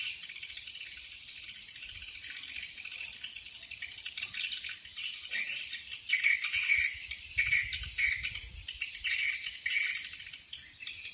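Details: Swiftlet flock-attracting call used at swiftlet houses in Binh Dinh, Vietnam: a dense, high, continuous chorus of dry chirps and buzzy trills, swelling in bursts about once a second, with no other sounds.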